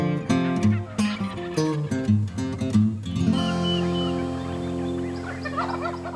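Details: A wild Texas turkey gives a rapid, rattling, descending gobble in the second half, after several seconds of plucked guitar music that continues underneath.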